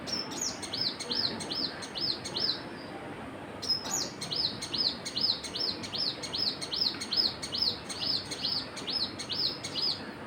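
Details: Birds chirping in rapid high arched notes, a brief pause near four seconds, then a long steady run of repeated chirps over faint hiss.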